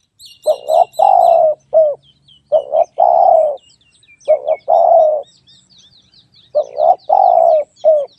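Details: Spotted dove calling loudly, four phrases of short coos, a long coo and a brief end note, while small birds chirp and twitter high in the background.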